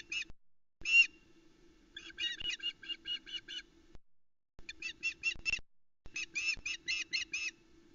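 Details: Female osprey heard at the Loch Arkaig nest, 17 July 2020, early morning, calling while the male brings a headless trout for the chicks: scattered single shrill notes, then runs of quick, piping cheeps in three bursts, with a steady low hum throughout.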